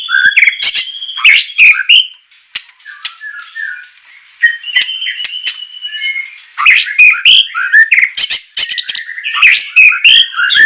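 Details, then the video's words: White-rumped shama song used as training material for captive birds: loud, varied phrases of sharp chips, rich whistles and harsh rasping notes, with a quieter whistled passage midway. "masteran besetan murai suara semelet suara pedas tembakan kasar"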